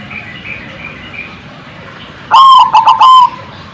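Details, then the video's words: Zebra dove call played to make other birds respond: faint thin chirps first, then one loud burst of short stuttering notes ending in a held tone. "suara bikin nyaut bunyi burung perkutut"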